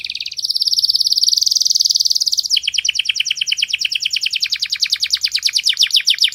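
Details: Canary masteran song, bright and clear: a sustained high buzzy roll for two seconds, then a long rapid trill of downslurred notes at a steady pace.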